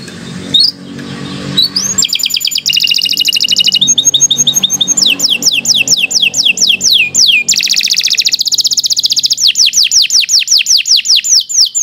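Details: Canary pouring out a long tutor song for young birds: faint opening notes, then bright rapid trills giving way to a fast run of repeated falling whistles, with a low background hum.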